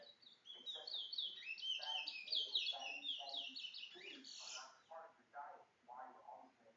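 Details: Towa towa, or chestnut-bellied seed-finch, a bringle bird tied to Guyana, delivers an extended energetic string of high buzzy, twittering phrases for nearly five seconds. Human murmuring sounds in the background.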